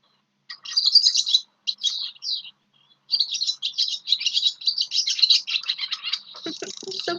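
A Barn Swallow gives a fast, squeaky twittering of high chattering notes in bursts, ending in a lower, grating buzz.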